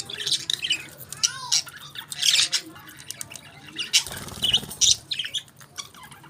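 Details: Budgerigars at their favourite food chatter in scratchy squawks and short whistled notes, including one rising-falling whistle. A soft rustling patter sounds near the middle.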